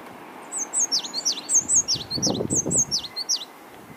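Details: African blue tit, injured and missing an eye and a leg, calling back on a windy day: a loud, rapid series of high, thin down-swooping notes repeated about twice a second, with a soft low rustle midway and wind beneath.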